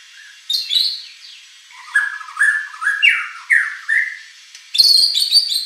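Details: White-rumped shama song for provoking a competition bird: a series of clear whistled notes rising and falling, repeated about every half second, ending in a loud harsh high burst.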